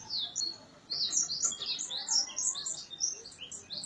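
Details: Dawn bird in a residence area near Gondar, Ethiopia, giving a steady, very high twittering of short, sweet chirps strung closely together, recorded from a balcony in 2017.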